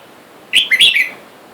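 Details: Red-whiskered bulbul, from a cage holding a wild male and female, while wild birds outside call for a mate. One quick, lively phrase of three or four liquid whistled notes lasts half a second.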